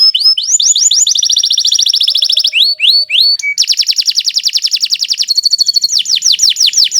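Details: Kenari Nusantara canary singing long, continuous song meant as a tutor recording for other canaries: rapid high rolling trills, rising sweeps and buzzy rattles that change every second or so without pause.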